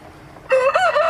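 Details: Rooster crow beginning after a quiet half second, loud and harmonic with a wavering rise, cut off before it ends.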